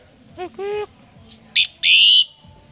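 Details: Common myna heard at a home visited during Tết 2018: two low, nasal harmonic notes, then a short sharp chip and a loud, shrill sustained whistle lasting under half a second.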